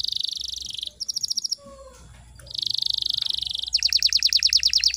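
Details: A canary sings a lure song meant to start silent canaries singing: a dense buzzy trill, a half-second lull, then another sustained trill that breaks into rapid, sharply repeated bright notes.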